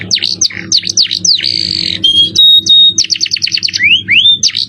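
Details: Masteran recording of a canary in 'cengkok mewah' song style: swooping V-shaped notes, a harsh buzzy burst, steady flat whistles, a quick rolled series and two rising whistled slurs.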